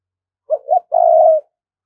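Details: Spotted dove of Đồng Nai calling in the quick-luring thúc bổi manner. Two quick soft coos lead into a long, steady, faintly pulsing coo, recorded close and clean with nothing else audible.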